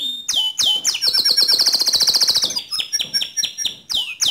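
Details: Canary song intended to set off another canary: rising-falling whistled notes leading into a fast rattling trill, then a sequence of sharp descending notes repeated about three times a second.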